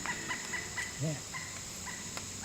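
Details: A Pileated Woodpecker, called the ginseng bird, in old-growth Appalachian forest gives short ringing notes about four per second, then a few longer evenly pitched notes; a brief low voice-like sound and faint clicks behind.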